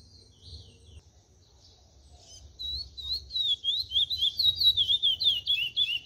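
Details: Brown-plumaged 'pardo' chestnut-bellied seed finch loosening up on the CD 357 'Cascatinha' song, pace 0.80; near-silence with faint low hum, then after two and a half seconds a quick series of sweet, looping whistled notes repeated in an even rhythm.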